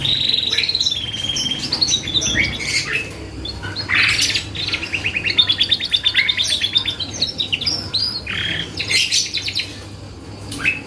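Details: Vigorous canary song used to draw replies from other birds: a long high whistled note opening, then varied trills, dense buzzy rolls, and bursts of rapid chirps over eleven seconds.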